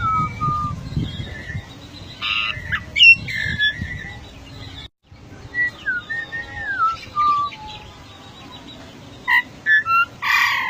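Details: Rare Papuan endemic golden myna: harsh buzzy squawks early, then a series of falling whistled notes, ending with several short loud calls and a rasping burst; low-pitched background rumble throughout the first half.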